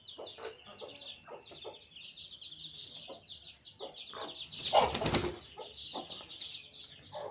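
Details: Chicks of domestic chicken, day 5, give rapid high peeps in a busy overlapping chorus; a loud burst of wing flapping about two-thirds through, with soft lower clucking notes scattered around.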